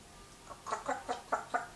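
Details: African grey parrot imitating the owner's grandmother's voice in Gujarati: about five short, voiced, speech-like syllables at a steady pace, rising in loudness, in a quiet indoor setting.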